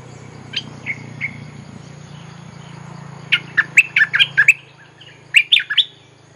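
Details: Bulbul lure song for attracting wild birds: a few scattered chirps early on, then two fast bursts of sharp, bubbly, chattering notes. A low steady hum runs underneath the first two-thirds.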